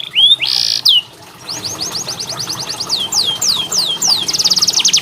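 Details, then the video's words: Canary master song for training canaries reluctant to sing: a couple of whistles and a short buzzy burst, a brief pause, then a run of repeated swooping notes ending in a rapid, tightly pulsed trill. "KENARI malas bunyi, Terapi untuk kenari masteran canary"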